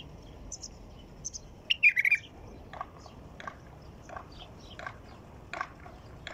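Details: White-eared bulbul song: one bright warbled phrase of slurred notes, followed by a series of short, softer chip notes repeated roughly every half second, over light background hiss.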